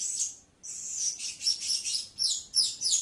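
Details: Nearly continuous, dense high-pitched twittering and buzzy chattering from a blue-crowned hanging parrot, with one brief gap early on and pulsing bursts afterwards.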